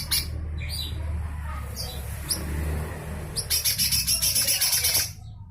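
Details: Lesser green leafbird in full harsh 'besetan' mode, used to tutor shamas and magpie-robins: scattered high chirps, then a rapid grating rattle of about a dozen pulses over roughly two seconds, against low rumbling noise.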